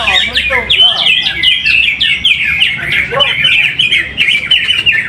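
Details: Greater green leafbird in a cage at a weekly bird-singing practice contest in Trowulan, Mojokerto, placing first, delivering rapid choppy phrases of sharp chirps and downward-slurred whistles in quick succession, with background chatter of other birds and voices.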